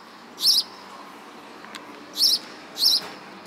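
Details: Three bright, high sparrow chirps, the first alone and the last two close together, with a faint click between them.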